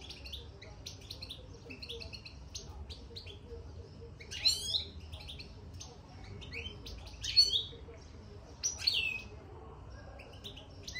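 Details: European goldfinch in a cage, singing soon after entering it: a rapid, tinkling run of high twittered notes broken by louder sweeping chirps near the middle and end, over faint low background noise.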